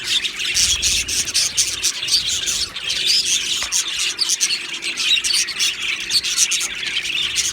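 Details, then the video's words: Several Australian budgies in a colony aviary, happy and chirping: busy, unbroken twittering with squeaky and grating notes piled together, steady in volume, plus a brief low thump early on. "Australian Budgie birds Chirping Sounds"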